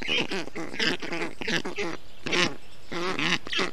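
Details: Black stork chicks in Estonia, 20 June 2021, the parent cooling them in the heat; drawn-out, wavering nasal calls given in irregular groups with short pauses between.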